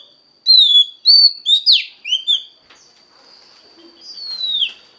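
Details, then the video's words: Female Oriental magpie-robin singing to stir the male, a handful of sweet slurred whistles and one broad downward note, then quiet with a faint thin whistle near the end. "Choè than mái kích trống hay nhất"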